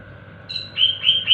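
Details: Yellow white-eye (kecial kuning) calling to its companions with 'ciak ciak' calls: a few short, high, thin chirps in quick succession after a faint, quiet start.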